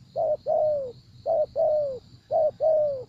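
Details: Spotted dove cooing during decoy trapping: three clear phrases about a second apart. Each is a short hollow note followed by a longer coo curving downward, with steady high hiss behind.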